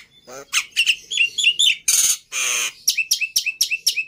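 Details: Black-winged myna giving a short sequence of scratchy notes, two long harsh buzzing squawks, then a quick series of crisp, upward-hooked whistled chips.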